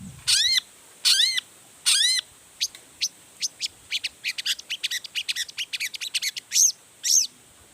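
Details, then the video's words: Long-tailed shrike in full excited song used to provoke other shrikes: three long grating rattles, then a rapid run of sharp ticking notes, closing with two harsh upslurred calls. "Toetan Cendet Gacor Full Emosi Bongkar Materi Bikin Cendet Lain Langsung Panas Nyaut Ikutan Bunyi"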